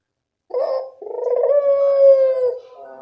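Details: Barbary dove, a frequently singing kept bird, used as a training track to get quiet doves calling: a short rolling note, a pause, then one long, even, droning coo that fades at the end.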